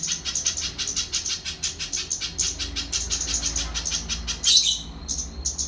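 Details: Little spiderhunter singing a rapid series of high, thin chips repeated several times a second in a steady run, briefly louder and denser near the end, over a faint low rumble.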